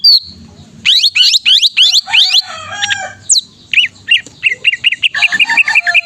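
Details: Greater green leafbird in lively song: a run of steep, fast-falling sweeps repeated about twice a second, then harsher notes and a series of short looping whistles toward the end.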